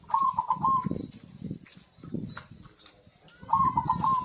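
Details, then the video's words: Lively perkutut (zebra dove) singing to trigger quiet birds: two rapid rolling coo phrases, one at the start and one after a three-second gap, with soft low thumping sounds between. "PERKUTUT GACOR AMPUH UNTUK PANCINGAN SUARA BURUNG MACET BUNYI"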